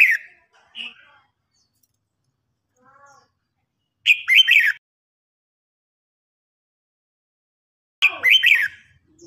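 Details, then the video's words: Red-whiskered bulbuls in a singing duel, an older wild-caught bird challenging a young bird. Short, punchy warbled bursts repeat roughly every four seconds with silence between, and a few faint notes in the gaps. "Chào mào hót đấu.Rừng già chinh phạt bổi non.bổi non ức chế lên lửa ."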